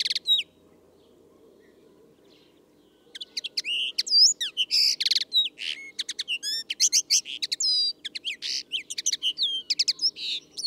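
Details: Common Linnet singing loudly after a brief call and a few seconds of quiet: a lively, continuous twitter of sharp chips, quick rising and falling whistles and buzzy notes, delivered in rapid varied bursts.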